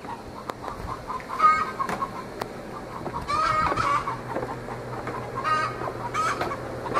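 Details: Backyard Australorps, twenty weeks old, raising the egg song before they have begun laying: scattered short clucks broken by loud raspy cackles about every two to three seconds, several birds overlapping.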